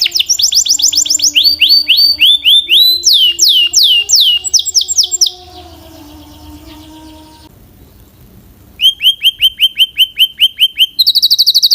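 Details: A Belgian canary (Serinus canaria domestica) sings loud, rapid trills of bright downslurred notes, shifting between high and very high phrases, with a brief quieter pause midway.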